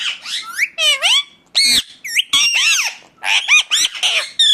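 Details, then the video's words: Loud, piercing squawks of an Indian ringneck parakeet, recorded as natural sound for training parrots to speak; harsh, bending screeches follow one another in rapid clusters with short breaks. "ringneck 🦜 natural sound"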